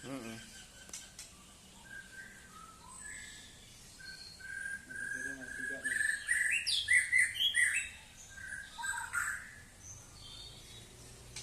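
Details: Song of a White-rumped shama: sustained clear whistles build into a dense, loud cluster of varied, rapid notes in the middle, then fade to softer phrases.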